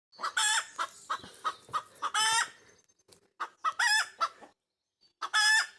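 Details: Pekin Bantam hen in a backyard flock singing her egg laying song: a run of short clucks building to loud, harsh, drawn-out squawks with rich harmonics, in bursts separated by brief pauses.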